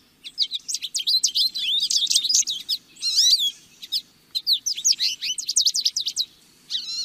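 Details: Lesser goldfinch singing energetic sequences of sharp, upswept high notes and twitters, interrupted by a wavering buzzy phrase, with a soft low hum behind.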